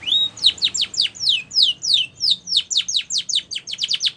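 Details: Song of a white Spanish Timbrado canary, used for training young canaries: a rapid series of high, bright downward-sweeping whistled notes, about three a second, after an opening steady whistle, all clear and loud with no other sounds.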